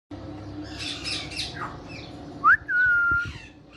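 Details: Alexandrine parakeet giving a few rough squawks, then a short rising note and a longer steady whistled call with a slight downward slur, over a low background hum.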